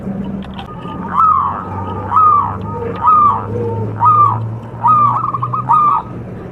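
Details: Contest-type local zebra dove used as a singing lure, giving evenly repeated arched coos near one per second above a low steady hum.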